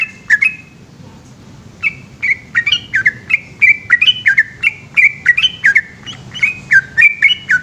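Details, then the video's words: The trucukan, or yellow-vented bulbul, sings its 'ropel' song at night in Indonesia: an opening note, a silent gap of over a second, then a fast chain of chattering, down-slurred whistles. "burung trucukan gacor ropel panjang dimalam hari"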